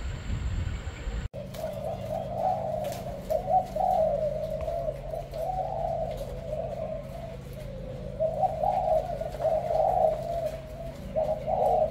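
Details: Spotted dove cooing in a soft, low, rolling stream that swells and fades in waves for about ten seconds, over a steady electrical hum after a brief opening noise.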